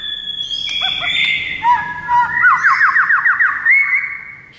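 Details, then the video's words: White-rumped shama singing, meant to prompt another shama to reply: drawn-out whistles give way to a quick run of about seven looping, upslurred notes, ending in a smooth rising whistle. "JADIKAN MURAI BATU NYAUT DALAM HITUNGAN DETIK SAJA"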